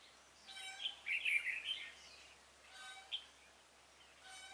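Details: Red-whiskered bulbul used as a decoy to lure wild bulbuls into a trap, recorded 26 February 2018; bright chirps and short warbled notes in quick bursts, with stacked whistled tones from other birds and soft background noise.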